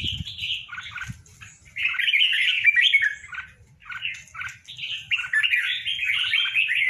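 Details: Two tame red-whiskered bulbuls kept in a cage sing lively, tumbling phrases. The notes are rich, slurred and chattering, come in runs of one to two seconds, and rise and fall quickly. A soft low hum sits underneath.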